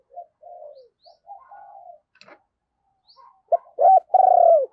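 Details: Decoy spotted dove calling to lure wild doves, in the thúc and gáy styles. Soft low coos come first, then two loud, drawn-out coos that fall in pitch near the end.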